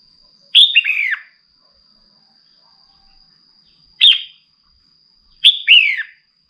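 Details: Three bright phrases from a female red-whiskered bulbul urging a male to sing, about every two and a half seconds; each is a sharp high note then a quick descending whistled slur, the middle one shorter. A faint steady hum lingers.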